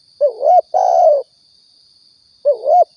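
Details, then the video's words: Spotted dove from Riau, recorded as a hunting lure: low cooing phrases, a wavering double note followed by a long smooth cooo, repeating roughly every two and a half seconds, with a constant faint high whine. "suara tekukur balam pikat & nembak"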